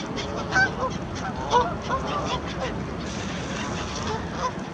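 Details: In wet, windy, almost deserted Hyde Park, a flock of Canada geese crossing an empty road towards someone who might have bread gives loud, nasal honks, several overlapping at irregular intervals, over busy flock noise.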